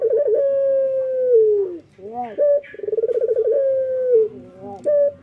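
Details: Male local Barbary dove singing actively in the morning: a long, steady, low coo that slides downward, then short hooting notes and a fast rolling, pulsed coo leading into another drawn-out falling note.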